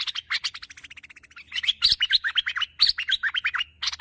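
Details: Bulbul (merbah) chatter for luring: continuous rapid chirping, softer at first, then louder clusters of slurred, buzzy notes, with a faint low hum throughout.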